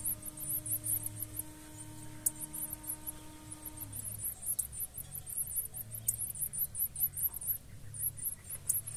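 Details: Blue-black grassquit young begging as their parents feed them: piercing high squeaks in quick succession, briefly thinning then resuming, with a low steady tone fading out midway.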